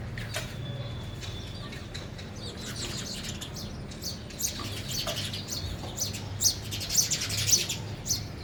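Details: Sparrows at a feeder while eating, with a young bird among them; quiet at first, then high, thin chirps that thicken into overlapping bursts during the last few seconds over a low steady hum.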